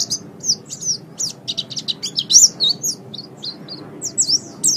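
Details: Training song of a caged white-eye, meant for morning or evening use: bright high twittered notes and short whistled slurs delivered in uneven bursts with brief pauses, a low steady hum underneath.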